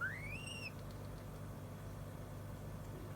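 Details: African grey parrot, having eaten its fill, gives one upward-sliding whistle at the start, then only a low rumbling hum continues.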